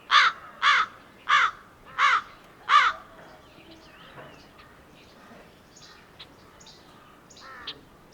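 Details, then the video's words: Wild crow giving five harsh, loud caws spaced about two-thirds of a second apart, followed by quieter, softer calls and faint chatter in the background. "Crow sounds"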